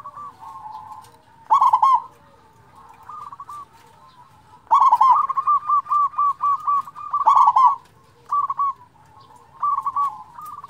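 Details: Big-voiced local zebra dove meant to stimulate and excite other doves; loud trilled coo bursts at intervals, one leading into a long even series of rapid stuttering coos, with softer phrases scattered around.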